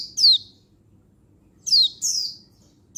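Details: Female Oriental white-eye calling for males, 19 November 2022. Two or three piercing, high, downward-sweeping notes, the last two close together, over a faint low background hum.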